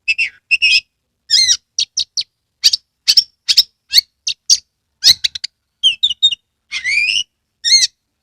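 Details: Oriental magpie-robin from Kebumen, Central Java, singing lively with tail spread: a rapid run of sharp chirps and bright whistled notes, mostly high-pitched, with short gaps between phrases and a few longer rising whistles near the end.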